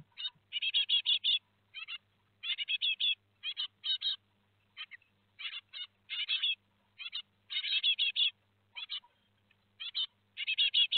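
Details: Great tits at Théding, France, during the fledging of four young on 17 July 2020: clustered, buzzy high chirps, several notes per burst, repeated roughly every half second with brief gaps.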